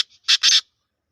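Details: Black francolin from Sindh, one of two birds in a contest of harsh calls, giving a short phrase: a faint note, then two loud, grating, buzzy bursts in quick succession.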